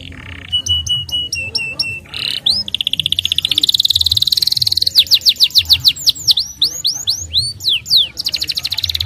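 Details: Starblue canary singing to prompt young canaries to sing and roll: varied phrases of sharp chips, a sustained buzzy trill, fast sweeping slurs and rapid repeated notes, over a low rumbling background hum.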